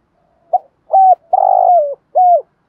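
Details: Spotted dove lure bird cooing to stir wild rivals into calling. One complete low phrase: a brief note, a steady coo, a long burred coo that drops at the end, and a closing clear coo. The background is otherwise quiet.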